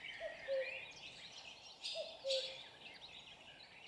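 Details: Nearby common cuckoo giving two falling two-note cu-coo calls about two seconds apart, accompanied by chirps and trills of other songbirds.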